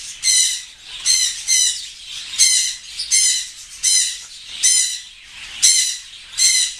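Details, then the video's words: A pair of African grey parrots give harsh, raspy bursts of squawking, high and noisy, repeated roughly once a second in uneven bouts. "AFRICAN GREY PARROT"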